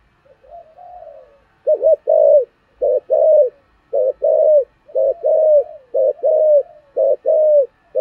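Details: Spotted dove calling in the thổ style with a good decoy voice: a soft introductory murmur, then steady paired deep coos repeated about once a second, clear and resonant against a quiet background.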